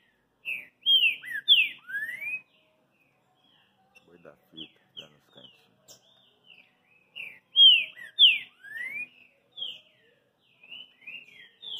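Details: Green-winged saltator singing the boi da fita song style: loud clear whistled phrases of short downslurred and upslurred notes in bursts, separated by pauses with faint soft notes and a few clicks between.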